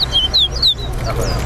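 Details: Chestnut-bellied seed finch, known as towa towa, singing at a bird whistling competition at a bird ground in Better Hope; clear whistled notes sliding down around 3–4k, repeated about three times in quick succession over low background rumble and crowd noise.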